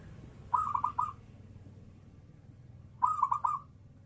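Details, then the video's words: Kerot-style zebra dove song meant to prompt other doves to start singing: two clean phrases of rapid, stuttered, bubbling coo notes about two and a half seconds apart over quiet background. "SUARA MEMANCING PERKUTUT IKUT GACOR || PERKUTUT KEROT NGAYER"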